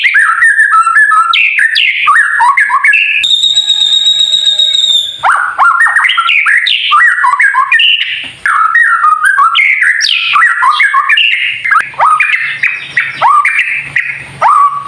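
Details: Kept White-rumped shama singing to provoke rivals into song: long flowing series of varied whistles and quick warbles, interrupted early by a steady buzzy harmonic note lasting about two seconds, then resuming fast and rich.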